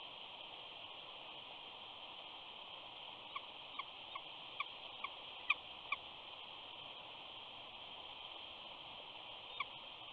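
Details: Female eagle back at her nest at Big Bear on 14 April 2019, softly whining to her mate, who stays on their newly hatched chick. A run of about eight thin, high squeaky notes comes in quick, uneven succession, with steady background hiss.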